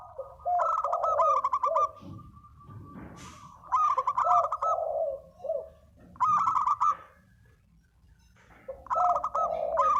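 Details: Spotted dove lure call: bursts of rapid, rattling, buzzy notes, each run trailing into low throaty coos, repeated about every two to three seconds with quieter gaps.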